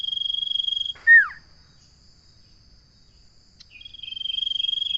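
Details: Common iora singing a drawn-out level whistle that ends in a quick falling slur. After a silent gap of about two seconds, another long steady whistle begins. A thin high hum runs throughout.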